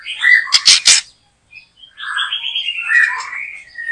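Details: White-rumped shama being trapped in a backyard: a couple of harsh rasping bursts followed by a long, continuous, quieter warbling ramble of mixed whistles and chatter.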